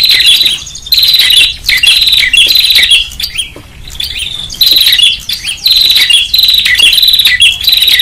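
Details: Prinia in noisy calling, recorded as a lure: strident buzzy trills in quick succession, roughly one burst per second, separated by brief thin whistled notes, steady and loud throughout.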